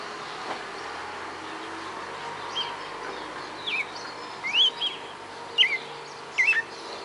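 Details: Captive red-cowled cardinal from Fortaleza, Ceará, Brazil, kept about four months, sings a series of short slurred whistled notes, some rising and some falling, spaced irregularly over steady background hiss.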